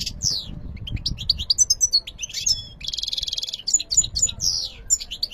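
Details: Lively European goldfinch song mixing slurred downward whistles, fast tinkling twitters and a long rasping buzz, continuous and varied throughout.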